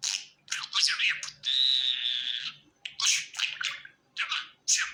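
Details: Pet budgerigar in good spirits: raspy chirps, then a long flat buzzing whistle, followed by more scratchy chattering notes.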